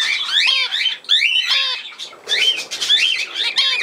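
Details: Loud budgerigar whistling from 17 November 2024, with repeated rising and falling whistled notes and squawks in two main bursts separated by a short lull.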